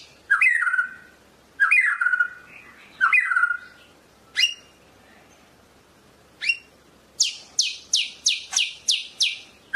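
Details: White-rumped shama from Medan singing: three rich warbled phrases with descending whistles, two sharp upward sweeps, then a rapid run of six high clipped notes.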